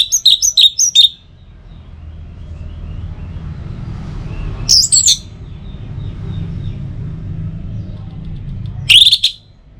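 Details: Orange-headed thrush lure song for morning and evening: a quick burst of four high chirping notes, then two brief scratchy high phrases separated by long quiet stretches with low background hum.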